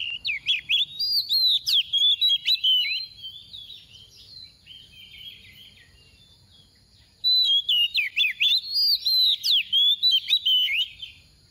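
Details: Oriental magpie-robin female decoy with a soft voice, delivering loud bursts of rapid whistled 'tìu tíu tiu' notes with steep pitch sweeps, separated by a long subdued passage of faint twittering.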